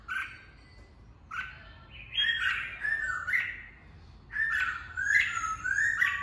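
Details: Red-whiskered bulbul giving song meant to train voices and fire up fighting birds; warbled, slurred whistles in two main bursts, rich and varied, with a quiet interval between.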